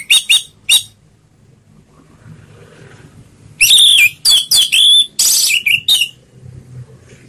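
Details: Orange-headed thrush singing in the slow ngeplong style, meant to coax silent birds into song: three short whistled notes, a pause, then a run of loud, clear, wavering whistles near mid-high pitch with bright overtones.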